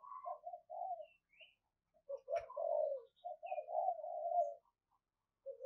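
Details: Caged decoy spotted dove calling to attract wild doves. Fairly quiet, low, mellow cooing in several uneven phrases with short gaps, and a single sharp click in the middle.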